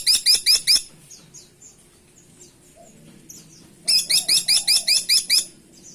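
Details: Grey-and-buff Woodpecker (caladi tikotok) giving two bursts of rapid, sharp, high squeaky notes, about five then eight in quick regular succession, with faint scattered chirps between bursts.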